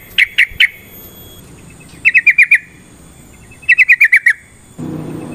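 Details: Yellow-vented bulbul song aimed at provoking a fight: groups of three to six rapid chirpy notes with gaps between, followed by a burst of low noise at the end.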